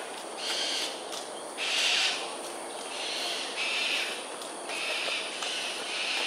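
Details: Cockatoos in an aerial display over Sungei Ulu Pandan, Singapore, at 7.43 am on 13 January 2022: harsh, broad, raspy screeches in bursts of about half a second, roughly six across the stretch, over a steady hiss of background noise.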